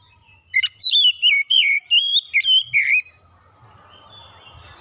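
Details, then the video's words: Oriental magpie-robin song: a run of eight loud, clear whistled notes bending up and down, about one every third of a second, then quieter background rustling and faint distant chirps. "terapi Kacer cepat keluar suara gacor"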